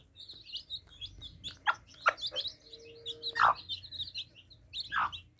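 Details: A group of baby chicks at drinking water give rapid, high, slurred peeps in a steady overlapping stream, punctuated by several sharp knocking sounds and a brief low hum in the middle.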